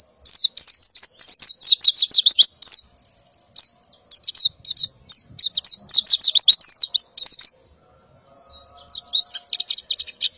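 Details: In the morning, a breeding female white-eye calls to attract males, giving quick runs of high, downward-slurred chirps in bursts separated by short pauses, then a softer thin trill.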